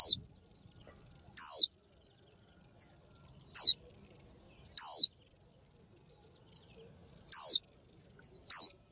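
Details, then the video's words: Female Japanese white-eye calling to rouse a male into singing: six sharp, high 'chiu' notes sliding downward, spaced irregularly one to two seconds apart, with a few softer chips and a constant thin high whine behind. "Chim vành khuyên mái chíu gọi trống cực hay, kích bổi hót ngay!"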